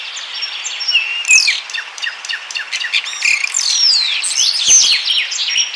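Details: Common starling (Sturnus vulgaris) singing in Bryansk, Russia, where starling chicks wait in the nest: rambling song of slurred whistles sweeping up and down, dry clicks and rattling chatter, high-pitched and run together without pause.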